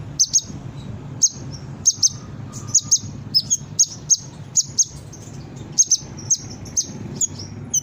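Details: Brown-throated sunbird song used to coax other sunbirds into calling: rapid, high, metallic chip notes in irregular clusters with short thin trills, over a soft low hum.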